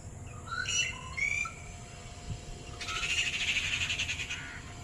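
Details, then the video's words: Red-whiskered bulbul contacting friends far away: a few clear, slurred whistled notes, then a harsher, buzzy chattering burst lasting over a second, with a low rumble underneath. "When friends are in far away place ... they speak in making sound #Red whiskered bird"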